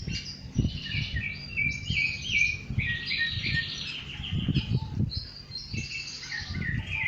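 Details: Wild rufous-bellied thrush in song outdoors. Flowing whistled phrases shift up and down in pitch, with brief pauses between them, over low thumping background noise.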